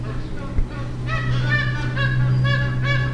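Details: Magpie geese in Darwin at the end of the dry season, feeding on irrigated greens; series of resonant honks from several birds, overlapping, above a steady low mechanical hum.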